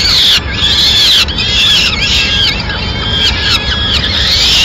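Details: A mother peregrine falcon delivering food to her chicks, Madrid, 29 April 2016. Piercing, slurred high wails are given back to back, each sweeping up and down in pitch, with hardly any quiet between them.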